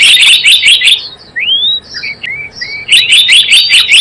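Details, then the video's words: Java sparrow lure call for trapping birds: a dense run of quick metallic chirps, a gap with thin upward-sweeping whistles, then the rapid chirping series resumes. "SUARA PIKAT BURUNG GELATIK BLOONG"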